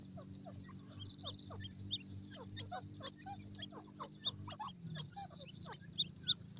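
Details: Black francolin chicks playing and scuffling on grass: sharp high chirps and short peeps in quick, irregular succession, some louder notes standing out, over a steady low hum.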